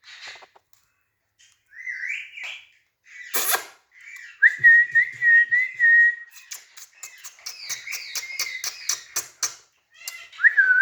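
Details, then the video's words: Green parrot perched and playing on a rod, giving natural chirps: clear whistled notes near one pitch, some rising and wavering, in short bursts with sharp clicks and a brief harsh squawk between them. "Speaking green parrot Natural Chirping sounds | Parrot voice | Mithu ki awaz"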